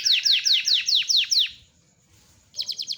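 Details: Canary song with a long rolling delivery: six loud descending whistled sweeps in quick succession, a pause with faint background, then a fast buzzy trill of repeated notes.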